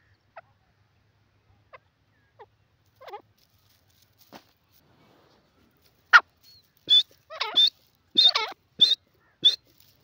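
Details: A few faint scattered notes, then a grey francolin bursts into loud, sharp, squawking notes in rapid clusters over the final seconds.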